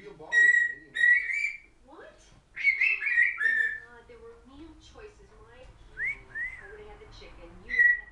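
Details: Noisy pet female African grey parrot in a room, giving loud ringing whistles, some rising and slurred, mixed with lower gurgling, speech-like chatter, with quieter stretches in between and a final clear whistle.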